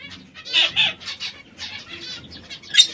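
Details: Canaries, three birds coloured red, yellow and brown, give a few bright warbled chirps, two louder ones early, softer notes after, and a sharp squeak at the close.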